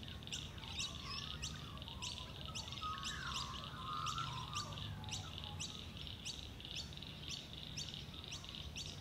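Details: Pacific black duck ducklings following their mother at local wetlands give thin, high peeps about twice a second, with brief harsher squawking midway over a low background rumble.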